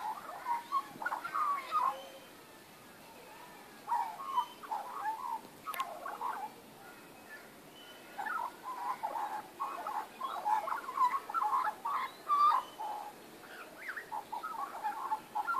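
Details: A group of magpies in a backyard on 19 April 2014 carolling in long, gurgling warbled passages, pausing for a couple of seconds midway before resuming louder, richer phrases.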